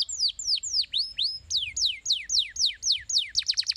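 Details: Canary song played to stimulate other canaries to sing: a run of high, sweeping downslurred notes about every third of a second, then quicker descending notes and a fast closing trill.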